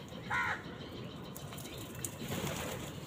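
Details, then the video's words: House crow, among crows fighting wild birds for food, gives one short, nasal caw near the start, then falls quiet against steady outdoor background noise. "Crow bird live crowing sounds"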